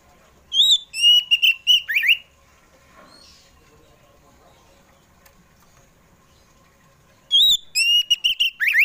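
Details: Oriental magpie-robin (kacer poci) in afternoon song meant to coax kept birds into singing: fast bright whistled notes with a downward slur at the end, several seconds of near silence, then a second similar whistled burst.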